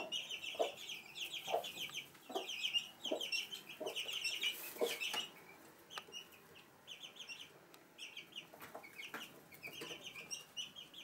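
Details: Hen with chicks in a house room in Sandoval de la Reina, April 2016: constant high peeping of many chicks, with low soft clucks from the hen about every second, in a quiet, slightly hissy setting.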